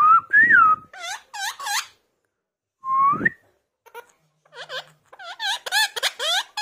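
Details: Parrot said to be talking: loud, clear whistled slides rising and falling, mixed with rapid squeaky, chattering syllables in quick bursts, separated by short silences.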